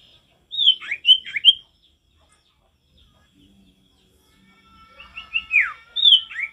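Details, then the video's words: Natural forest recording of a male sirtu singing: clusters of high whistled notes with sharply falling slurs, two phrases separated by a quiet gap with faint background hum. "Sirtu gacor gak ada lawan suara ngalas alami"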